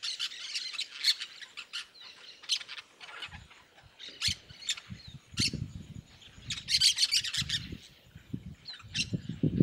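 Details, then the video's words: A noisy group of yellow-chevroned parakeets in the Bahia sertão, Brazil: dense overlapping shrill chirps and squawks in repeated bursts, with low thumping knocks in the background. "Periquito De Encontro Amarelo"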